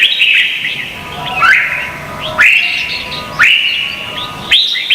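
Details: Red-whiskered bulbul contest singing from Vietnam, a lure for training: a sweeping whistled note rising sharply, repeated about once a second, each followed by a short, softer warble.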